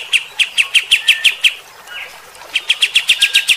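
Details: Kapas tembak bulbul in rough shooting song meant to rouse fighter-type birds: evenly paced sharp chirps about four per second, a short lull with a soft slurred note, then a faster run of the same chirps.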